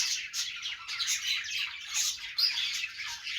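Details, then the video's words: Cheerful budgerigar sounds, a fast jumble of twittering chirps and scratchy squawks that run together without a break, peaking briefly in loudness partway through. "Budgie Noises to make them Dance"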